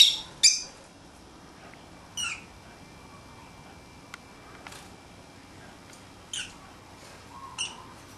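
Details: Pet lovebirds playing outside their cage make scattered short, shrill, high-pitched chirps and squeaks at irregular intervals, a few in quick pairs, with quiet room noise between them.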